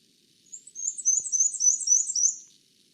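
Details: Black-and-white warbler, a Newfoundland bird, singing its squeaky-wheel song: very high, fast two-note phrases alternating high and low, repeated about eight times over two seconds in quiet surroundings.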